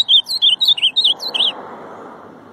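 Ultramarine grosbeak giving one quick, bright warbled phrase of slurred rising and falling notes over about a second and a half, then a soft background hiss.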